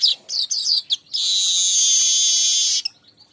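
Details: Weaver lure song: a few quick, sharp high chirps, then a long, steady, loud buzzing sizzle lasting nearly two seconds before it stops abruptly.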